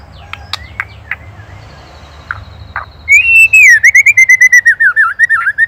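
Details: Indonesian white-rumped shama singing ketrekan, used as a master for training songbirds; scattered clicks over low hum, then a loud wavering whistled trill that rises and falls rapidly for nearly three seconds.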